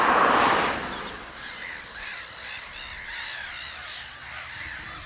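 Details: Black-headed gull calls in a breeding colony on Texel in 2017, where a large chick is present; a loud harsh burst opens, then repeated short, rising-falling nasal squeals with colony noise behind.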